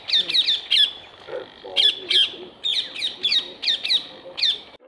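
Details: Rose-ringed parakeets feeding on apples placed on a wire mesh give harsh, shrill squawks in quick bursts, about ten over five seconds, with faint low murmuring in the background.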